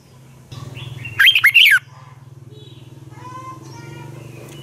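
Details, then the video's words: Red-whiskered bulbul fighting song for training birds, a single short, loud phrase of quick swooping whistles over a constant low mechanical hum, with faint other bird notes afterward. "Luyện chào mào hót sáng hay Dùng để thúc bổi căng hót, ép giọng rất hay, chào mào hót đấu"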